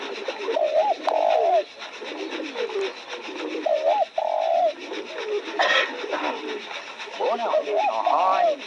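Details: Cooing spotted dove beside newly opened roses: repeated phrases of a short coo leading into a long, loud drawn-out coo, recurring about every three seconds, with a brief rustle and faint chatter behind.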